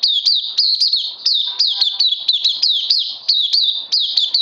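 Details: High-pitched, lively chatter from an oriental white-eye on 31 May 2020: tight clusters of sharp downward-sweeping notes repeated continuously without a real gap.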